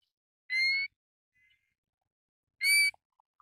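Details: Pacific golden plover, a shorebird that breeds in northern Siberia and northwestern Alaska and winters in places including Taiwan: two clear, slightly rising whistled notes about two seconds apart, with faint soft sounds between them and otherwise silence.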